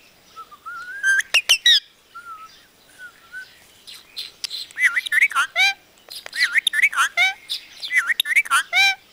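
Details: Talking parrot imitating Punjabi sentences: bursts of harmonic, wavering, speech-like syllables, some rising and falling in pitch, in phrases with short pauses, plus a few sharp clicks near the start.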